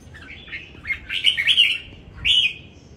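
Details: Red-whiskered bulbul singing at a Vietnamese bulbul singing contest, bird CB S15 from Dong Nai: a run of fluid whistled notes building into a loud rolling phrase, then a final bright slurred whistle after a short gap.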